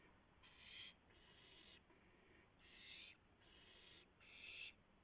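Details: At 3:38 AM on April 7, 2016, owls at the nest receive a rabbit; fairly quiet, drawn-out harsh hisses, each about half a second to a second, in a steady row.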